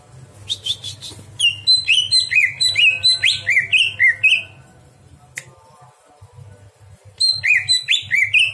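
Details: Greater green leafbird singing at night as a training recording for other birds: loud bursts of clear, slurred whistles, rising and falling between about 2 and 4k, repeated in quick runs, a pause, then the phrases resume; faint low hum throughout.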